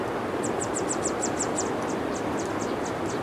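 Yellow warbler chicks give thin, very high peeps, about five a second and then slightly slower, over a steady background hiss.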